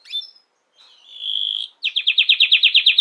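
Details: Canary: a short chirp, a quiet pause, then a clear sustained high whistle, followed by a crisp, even trill of about a dozen sharp notes repeated roughly ten times a second.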